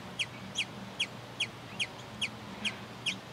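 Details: Sombre hummingbird singing to defend its territory: a steady series of eight short, sharp, high chipping notes, one about every 0.4 seconds, over constant low background noise.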